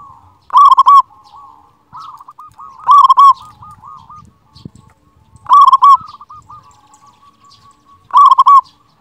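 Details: Zebra dove, a local bird with a big voice, cooing as master song to set quiet doves singing. Four loud, bubbling, rolling coo phrases come about every two and a half seconds, linked by softer trailing coos, with faint low rustling.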